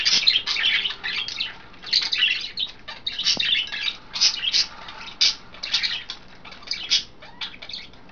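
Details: Pet budgerigars, a household flock of five with three females bathing in vegetables or a water dish, recorded 09.02.12; dense, continuous high chirping and warbling chatter from several birds, with bright squeaky notes overlapping throughout.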